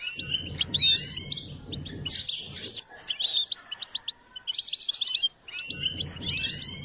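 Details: Goldfinch song from a bird being trained to sing: fast twittering phrases of high chirps, trills and short whistles in bursts, with low rumbling background noise under some phrases.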